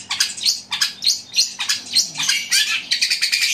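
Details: Fighting Eurasian tree sparrow gives loud, fast chatter: harsh, high chirps tumbling over each other in rapid bursts, about three per second, with no other sounds.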